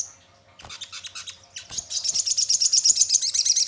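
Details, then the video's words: Sogon lure song meant to make birds sing quickly and reply: scattered high chips build into a fast, steady, very high-pitched metallic trill, repeated many times per second, growing louder toward the end. "Pancingan Sogon Bahan Agar Cepat Bunyi Gacor dan Langsung Respon Nyaut"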